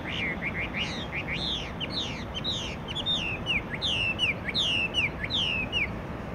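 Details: Chinese hwamei (Garrulax canorus) at Guia Lighthouse and Fortress, Macau, 14 April 2020, sings a rich, fast run of loud whistled phrases, slurred up and down and repeated in varied bursts, over steady low background noise.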